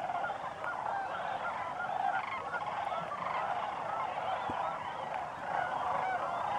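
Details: Migrating Sandhill Cranes in October at Crex Meadows State Wildlife Area, a sedge wetland in northwest Wisconsin, evening or early morning: a dense, continuous chorus of rolling, honking calls from a large flock, overlapping without pause.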